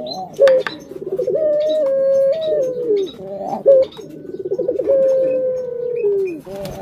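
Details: Captive collared dove giving repeated coo phrases: sustained level tones, abrupt sharp notes and fluttering pulsed rolls, cycling about every three seconds in a quiet room.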